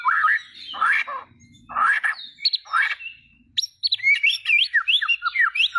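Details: White-rumped shama song of loud, rich warbled bursts spaced about a second apart, followed by a lively rapid sequence of high, sweet whistled notes sliding up and down.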